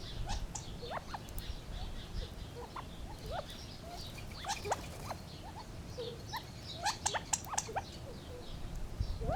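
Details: Gambel's quail in a lively run of sharp upswept chips and brief whistles, sparse at first and denser near the end, with faint background hiss.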